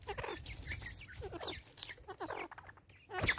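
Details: Natal spurfowl hen in South Africa, 2024, calling in anger with rapid scratchy cackles in quick bursts, each burst pausing briefly before the next. A sharp loud note comes near the end.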